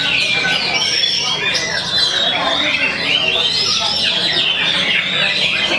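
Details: A caged magpie-robin sings steadily while hung on a contest pole, unloading its stock of mimicked phrases; a long, bright whistled line rises and falls among rapid twittering, with background chatter from people and other birds.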